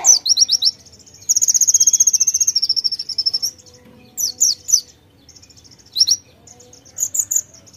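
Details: Actively singing white-eye (pleci) with konin fill phrases: quick chirp bursts, a sustained fast high trill of some thirty notes, then scattered sharp, slurred chirps with pauses between.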